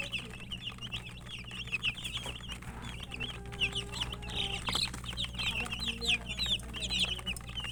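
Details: Chicken chicks eating and chirping; many high thin peeps pour out continuously from several chicks, with scattered louder notes and occasional soft low clucks amid a constant low hum.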